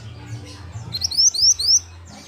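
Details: Young pied bushchat in training to sing, delivering a quick burst of four or five very high, thin, rising chirped notes in rapid succession, over a steady low hum.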